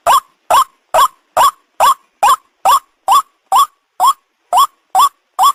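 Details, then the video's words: Lure recording of a white-breasted waterhen: thirteen strident, upslurred honking notes repeated rhythmically about every 0.4 seconds against a silent background. "the sound of the ruak ruak"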